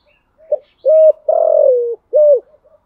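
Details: Spotted dove giving the thúc gù cooing pattern: a brief note, a flat sustained coo, a longer coo sliding slowly downward, then one more short clipped note, on a quiet background.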